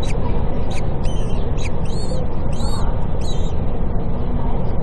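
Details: A common kestrel at a nest on a building in Cairo, the female bringing food to just-hatched chicks, gives thin, shrill squealing calls in about seven quick bursts over three seconds, partly buried under a heavy, steady low rumble.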